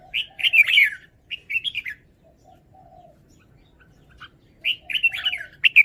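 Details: Cage-kept red-whiskered bulbul performing its song phrasing: repeated groups of quick, bubbling whistled notes, sharply up and down, with faint low warbled notes filling the pauses between bursts.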